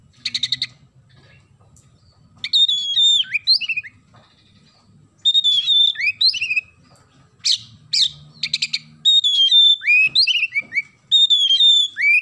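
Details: Oriental magpie-robin in vigorous song with a sparrow-call filling. Harsh, buzzy chirp bursts mix with clear whistled phrases that swoop up and down, delivered in loud spells separated by short pauses. Faint low hum underneath.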